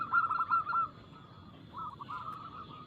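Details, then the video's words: Local zebra dove singing fast and clear as lure song for other doves; a short run of rapid rolling coos is followed by a pause and then a quieter string of bubbling notes. "PERKUTUT LOKAL GACOR Nada cepat Suara keras kristal Bikin cepat bunyi ( Pancingan Burung Anggungan)"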